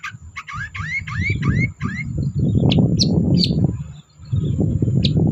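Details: Long-tailed shrike lure song for silent birds: a run of rising, upslurred whistled notes repeated about twice a second, then sharp chirps half-buried under loud low rumbling noise.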